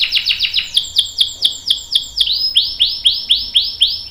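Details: Canary song from a long-roll training recording for young and adult canaries: rapid descending notes slowing into evenly spaced rising-and-falling whistled swoops, about four per second.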